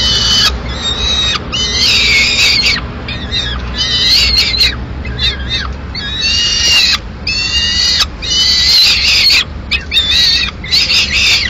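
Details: A lone Peregrine falcon chick in Madrid on 22 May 2016 demands food after the male brings a swift and the female takes it to eat at a window. Harsh, drawn-out screams repeat in uneven bursts, some rising and falling.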